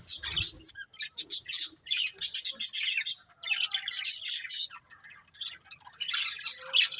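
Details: Budgerigars in a colourful breeding pair chatter in clusters of sharp high chirps and squawks, with short quiet spells between bursts.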